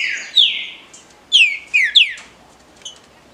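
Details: Paraná liso batido song of a green-winged saltator: clear, rich whistles sliding downward, one long note, then three sharp descending phrases close together, then silence.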